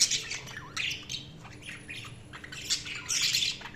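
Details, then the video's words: Budgerigar squawks and chirps: harsh, scratchy high notes and quick rising squeaks in short bursts, birds calling together, a faint high whine and low hum in the background. "Budgies Sounds| Budgies Chirping sound"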